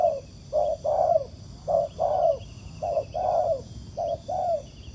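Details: During trapping with a ground decoy, a wild spotted dove coos in reply. Four couplets of low, rounded notes are heard, the second note of each longer and sliding downward.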